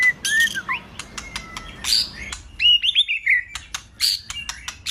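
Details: Wild-type lure recording of a male white-rumped shama singing to provoke rival males and raise breeding excitement: varied clear whistles, sliding notes and sharp chirps broken by short clicks and pauses.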